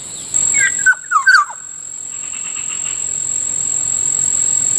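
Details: Kilyawan, the black-naped oriole, near a rice field at morning: a short run of mellow, slurred whistles stepping downward, then quiet apart from a steady high-pitched insect hum.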